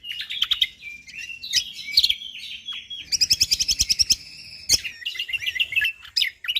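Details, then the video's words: Lombok white-eye in full, lively song: dense, high chattering twitters and trills interwoven with fast rattling bursts of rapid repeated notes, sharp clicks and brief whistled slurs, continuous and busy throughout. "Cucak Kombok Juara / Kecial Kombok Gacor Full Tembakan rapat"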